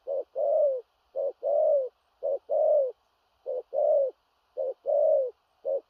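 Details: Spotted dove of large build coos in the strong 'thổ rặc' style, urgent and far-reaching with a stutter: a clipped opening note then a longer mellow descending coo, repeated six times at a steady near one-second pace.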